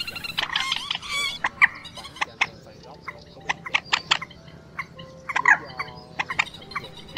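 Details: Two rails, a Quốc Biển and a Trích Ré, adult and young, call together in a busy mix of harsh, nasal squealing bursts and sharp, ticking clicks at an irregular pace. The calls serve as a lure for night net trapping in the March 2024 migration season.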